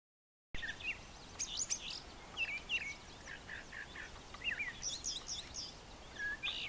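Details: Male brown thrasher singing in the morning on a farm yard with brushy nesting areas: a varied string of short chirped and slurred high phrases, some given twice, with quiet gaps between bursts.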